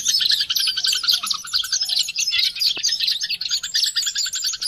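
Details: Oriental white-eye; song; lure song to stimulate caged birds into singing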